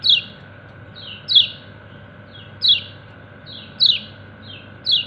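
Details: Kecial kuning, a white-eye, calling to its companions in quick, high, descending chirps, some paired with softer chips between them, repeated about once a second over a faint steady hum.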